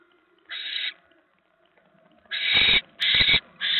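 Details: Barn owl at a nest on a live nest camera, 10 November 2017 at 7:50 PM, as a mouse is delivered; one harsh hissing screech, a pause, then three more rasping bursts in quick succession.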